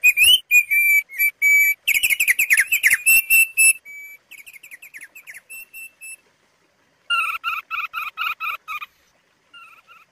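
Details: Thick-billed White-eye, a songbird endemic to Sumbawa and Flores, gives rapid bursts of clear, high whistles and fast chattering trills, with brief pauses between phrases and no other sounds.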